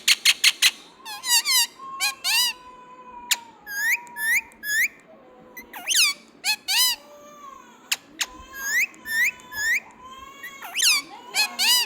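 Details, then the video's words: Indian ringneck parakeet, green pet talking bird, alternates clipped chirps with long level whistles and upward-sliding squeaks, some notes doubled, in a lively irregular stream. "Indian Ringneck Parrot || Cute Talking Parrot"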